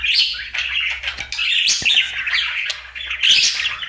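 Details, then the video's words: Pet budgie singing its daily routine in a small room, a rapid, scratchy warble mixing chirps, clicks and sharp squeaks, loudest near the end with a bright burst of chatter. "Budgie singing for 1 Hour Happy song!"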